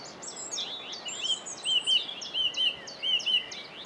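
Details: Whitethroat at Saltersford Locks, 8/5/2013, delivering a fast, scratchy, high-pitched warbling phrase of chattering notes with a few sharper metallic accents, over a constant low background hiss.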